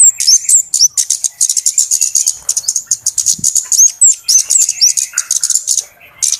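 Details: Trapper's lure recording of noisy flowerpeckers: rapid, high ticking notes several times per second, interspersed with short rising squeaks and a faint buzzy trill underneath.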